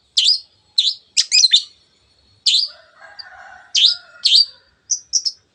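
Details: Long-tailed shrike song in the 'teot teot' style, used as a lure to rouse other birds: sharp, down-slurred high notes singly and in quick groups, with soft low twittering in one gap.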